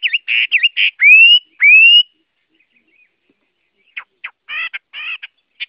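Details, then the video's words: Chinese hwamei giving quick wavering notes and two loud rising whistles, a pause, then softer buzzy, rasping phrases. "Tiếng Họa Mi hót | The sound of the bird Garrulax canorus"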